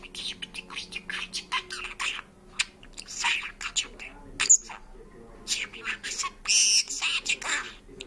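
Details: Speaking and singing parrot using Georgian words, chattering in quick high syllable clusters with a few squeaky chirps and whistled accents scattered through.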